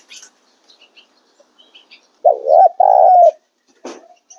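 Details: Spotted dove giving its calling ("nguap") coo: a soft, low, hollow coo in two drawn-out notes, the second longer and steadier. Faint chirps from other small birds are heard around it.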